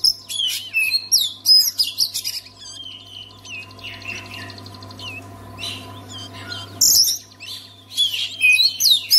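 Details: Oriental magpie-robin song for getting other magpie-robins to sing: quick varied whistles and clicks, a brief buzzy trill, a quieter pause, then loud piercing high notes, with a constant low hum.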